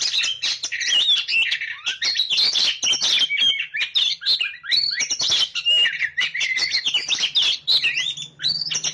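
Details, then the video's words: Oriental magpie-robin (kacer) singing continuously: dense, fast warbling with sweet whistles, trills and harsh clicks packed together, barely pausing across nine seconds, over a faint low hum. "SUARA BURUNG KACER GACOR"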